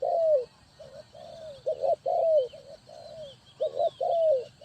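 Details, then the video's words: Decoy spotted dove for trapping, cooing steadily in repeated falling phrases about every second, short clipped notes alternating with longer drawn-out coos; other birds chirp faintly behind. "Cu gáy Ninh Thuận,นกเขาใหญ่สายต่อดิน,Tekukur pikat,The Sound Of dove"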